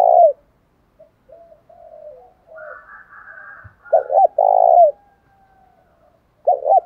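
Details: Spotted dove lure call in the thổ đồng style, male and female voices used to provoke fighting: low cooing phrases of two short notes then a long rolling coo, repeated three times, with softer wavering coos and a faint higher warble between.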